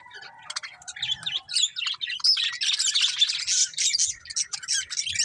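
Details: Budgerigar breeding pair singing a steady stream of rapid warbled chatter, opening with a low whistled note and continuing in scratchy, squeaky high notes without pause.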